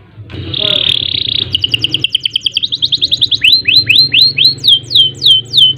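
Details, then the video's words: Canary singing in a lively 'gacor' style with rolls and bursts: a long harsh buzzy note, then a quickening trill of short notes, ending in a series of looping whistled downslurs. "Kenari Gacor Panjang Ngerek Ngerol Nembak Mantap Buat Masteran dan Pancingan | Bird Singing"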